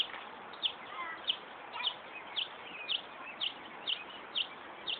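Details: Northern mockingbird at Buckland Park in Brighton, New York, imitating a car alarm; sharp high chirps repeated about twice a second in a steady, alarm-like series over background hiss.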